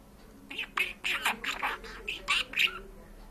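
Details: Georgian-speaking pet parrot imitating human talk: a quick string of scratchy, high word-like syllables, some sharper squeaky accents, in a quiet room.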